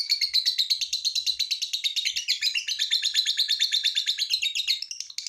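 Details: A lovebird's extended ngekek trill meant to coax other lovebirds into song: rapid, rasping chatter about three notes per second, steady and unbroken, briefly dropping in volume at the end.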